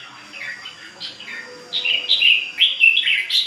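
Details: Continuous song of a ché bird. A soft warble at the start builds into louder, clearer whistled notes and short trills, about two phrases each second in an irregular rhythm.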